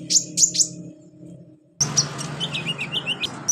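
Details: Olive-backed sunbird training recording for beginner birds: three sharp high chirps, a pause, then a quick run of thin tweets and short downslurred whistles over a low hum.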